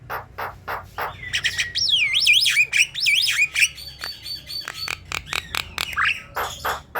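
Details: Song of a Javan myna, used to coax a reluctant caged bird into singing: dense, varied phrases of looping whistles, harsh squawky notes and sharp clicks, with a steady high whistle held in the middle and a faint low hum throughout.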